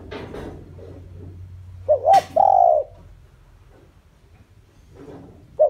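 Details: Decoy spotted dove used to lure wild doves, giving one cooing phrase: two short quick notes and then a long, smooth, falling coo. A brief partial phrase follows near the end over faint background hum.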